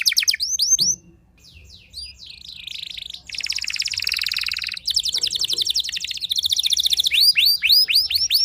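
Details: Canary in energetic song described as provoking rival canaries, mixing rapid downslurred whistled notes with dense buzzy rolling trills and fast rattles, high-pitched and continuous with a brief pause near the start.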